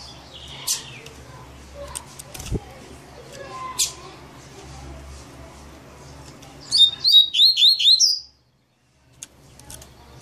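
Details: Singing double-collared seedeater, maninho song type: scattered faint chirps, then a clear phrase of five or six quick upward-sweeping whistled notes in about one and a half seconds, ending abruptly.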